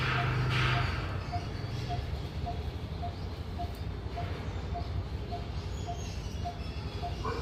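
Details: Coppersmith barbet calling from above a building: a long run of evenly spaced, low hollow 'tuk' notes, a little over two per second, with a person speaking nearby and a steady low rumble underneath.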